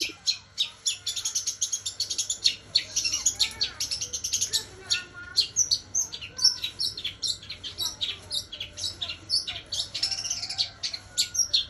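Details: Long-tailed shrike song filled with imitations of house sparrow and kunti calls: a dense, unbroken stream of sharp, high chirps and chattering bursts, some notes clipped and rapid, running for the whole stretch.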